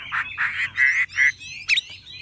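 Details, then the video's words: A tame caged Chinese hwamei with golden-yellow plumage, described as singing nonstop, gives loud, rich notes four or five in quick succession, then a sharp rising-falling whistle over a faint low hum. "Họa mi thuần đét chân mỏ lông lá vàng ươm - Hót như máy"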